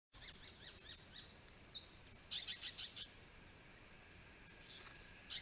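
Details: A pale yellow parrot the observers think is an immature turquoise parrot, at a survey pond by a creek in Grey-Box woodland north of Violet Town, 31 December 2021: thin high tinkling chips, four quickly, then a twittering burst, over hiss.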